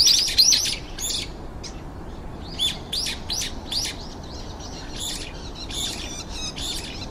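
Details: About five Hokkaido brown-eared bulbuls in a garden, waiting their turn to feed, give a noisy, rapid, overlapping series of high, harsh squeaky calls over a faint steady background hiss.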